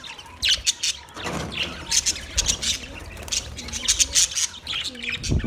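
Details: Budgerigars chirping: short sharp squawks and high chirps come in uneven bursts, with a few brief louder notes and a low rumble underneath.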